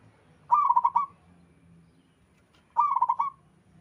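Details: Zebra dove, local and wild, singing repeatedly: two rolling, pulsed coo phrases a little over two seconds apart, each about half a second long, over a low hum.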